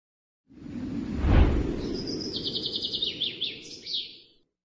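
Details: A captive masked laughingthrush, dancing to attract a female, gives a quick run of about fifteen high, even notes, then a brief varied flourish, over heavy low rumbling noise.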